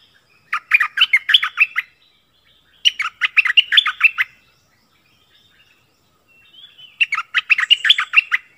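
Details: A wild bulbul (merbah), recorded 16 March 2021, gives three bursts of quick, bubbly chirping notes, each lasting over a second, separated by short pauses. No other sounds are heard.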